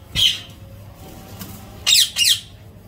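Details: A ringneck (rose-ringed parakeet) gives three harsh, shrill screeches: one, then a quick pair about a second and a half later, in a quiet room.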